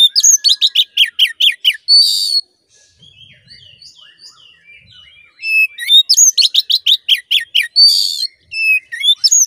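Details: Oriental magpie-robin song meant to rouse a caged male to aggression: fast series of loud, sharp, repeated chirping notes, a pause with faint soft twitters, then another rapid burst of repeated high notes.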